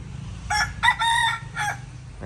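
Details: A young rooster being trained after being attacked by a wild junglefowl, wary and watchful, gives a short, broken crow in three bright, harmonic bursts over about a second, with a steady low rumble of traffic behind.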